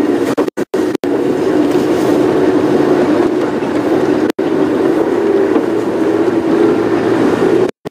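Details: A steady low engine drone from a safari vehicle during a morning drive, broken by a few brief dropouts, with no animal voices heard.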